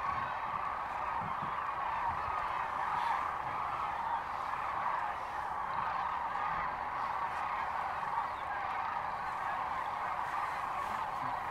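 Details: Massed sandhill cranes calling at Rowe Sanctuary near Kearney, Nebraska, on March 13, 2014; overlapping rattling bugles blend into a continuous, wavering wall of sound with no pauses.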